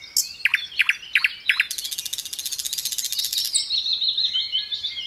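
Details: Sikatan londo (little pied flycatcher) pouring out tembakan bursts: four sharp descending notes, then a long rapid buzzy rattle, running into a steady high whistled trill.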